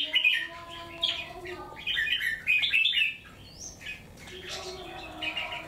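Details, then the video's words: Wild-caught cage bird with one white claw, three months caged, in full song facing a rival: quick runs of clear, warbled whistles in short clusters. A steady low tone hums beneath. "Siêu Bổi 3 Tháng Lồng | Ché Đè Chim Cứng, Bung Xoè Hết Bản"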